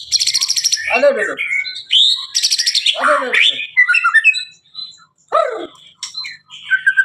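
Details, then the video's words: White-rumped shama of the Blorok type giving a varied song of harsh buzzy rattles mixed with sharp high whistled notes and short rising chirps, phrases coming in quick bursts with brief pauses between. "murai batu Blorok extreme"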